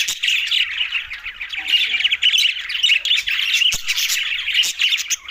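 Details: Green budgerigars eating together in Larkana, Sindh: loud, dense, unbroken warbling chatter with sharp chirps throughout and a few faint clicks.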